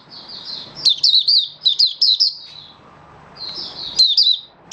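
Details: Captive Malaysian white-eye, locally mata puteh, singing: soft high warbling trill broken by loud clusters of sharp descending chirps, two main bursts with a quieter stretch between.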